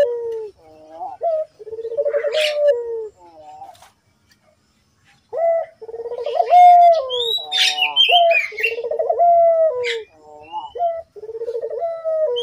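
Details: Collared dove, locally puter, calling in a lure recording to make doves call; bursts of rolled coos and longer level notes with pauses, and a short silent gap midway, plus faint higher chirps.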